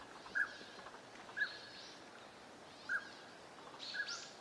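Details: Northern pintail (Anas acuta), wintering ducks at a park pond in Chiba, Japan, December 2025: brief, soft whistled notes about once a second, unevenly spaced, over steady outdoor noise with some higher hissy sounds.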